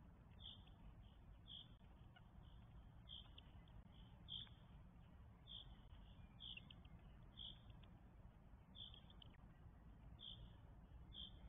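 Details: Four Northern goshawk nestlings fed at the nest in Estonia, 24 May 2022; short, piercing high squeaks repeated roughly once a second in a steady series, set against heavy low-pitched rumble.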